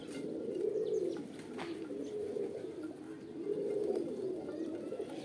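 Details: Pigeons cooing in two clear swelling bursts, each a deep, wavering roll lasting about a second, separated by quieter murmuring and a few soft knocks.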